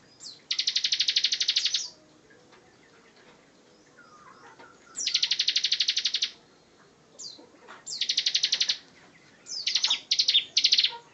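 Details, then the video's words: Bar-winged prinia singing continuously in 'gacor ngebren' style: long harsh buzzing trills of fast even pulses, each over a second long, separated by quiet gaps and a few sharp chips. "Ciblek Gacor Ngebren, Kicau Burung Master"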